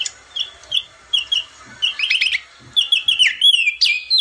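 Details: Crested white-eye giving short groups of high chirps that build into a quick, jumbled twittering phrase, each burst separated by short gaps.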